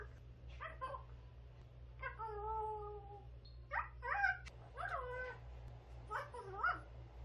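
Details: Pet grey parrot, a youngster eight months old, babbling indoors: a run of about seven short harmonic, voice-like syllables, some wavering or bending in pitch, spaced irregularly over a low room hum.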